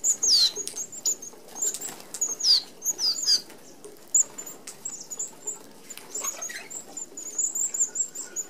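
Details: Flock of Australian red-browed finches feeding together at a small-mesh aviary feeder; very high, thin piping notes and short down-slurred squeaks overlap irregularly, mixed with fluttering wings and light tapping.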